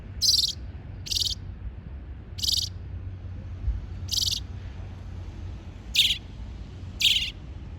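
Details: Six high, harsh, buzzy chirps from a bird, spaced about a second apart and unevenly timed, each short and scratchy, with a low continuous hum underneath.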